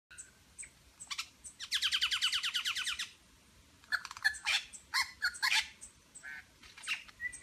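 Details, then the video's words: Superb lyrebird in Berowra Valley National Park mimicking other birds, including eastern whipbird, red wattlebird, rainbow lorikeet, grey butcherbird and pied currawong. A fast even run of about a dozen sharp chirps is followed by a pause, then varied loud squawks and clicks. "Lyrebird medley"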